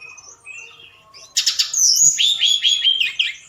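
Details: Night-time lure song of a forktail meant to provoke other birds: faint soft whistles, then a loud buzzy burst and a run of high, wavering, repeated whistled notes.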